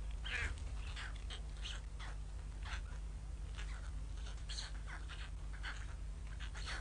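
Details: Hungry young White storks at Ustroń, 15–16 May 2019, waiting for their absent mother in bad weather while the father guards them; dense run of sharp high chirping squeaks, repeated rapidly over a low droning background.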